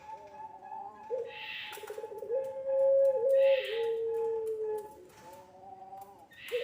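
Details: Barbary dove of the long-cooing pelung type, a lure and tutor recording for young doves: a long, low, steady coo that steps down in pitch and is held for seconds, with rough hissy bursts between phrases.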